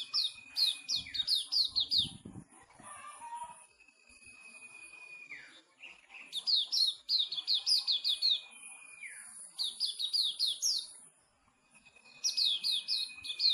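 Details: Sooty-headed bulbul kept by a bird-keeping club member in Pemalang, Indonesia, singing bursts of fast descending chirpy notes. Each run lasts about two seconds and is separated by a steady thin whistle that slides down at its end.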